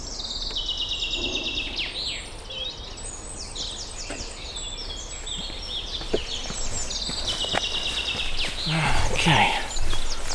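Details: Eurasian reed warbler singing at a nature reserve in the UK in spring, as birds pair up and start nest building, singing to attract a mate; chattering, repetitive phrases of scratchy, grating notes, with steady background noise and a faint low rumble.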